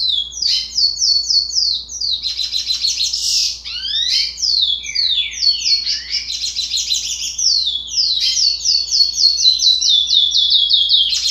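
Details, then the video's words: Sixty-day-old young curió, or chestnut-bellied seed finch, practising an unformed song: a continuous, hurried warble of sharp downslurred chips, bright trills and occasional lower swooping notes with almost no pauses. "Curió Filhote Cantoria Indefinida 60 Dias"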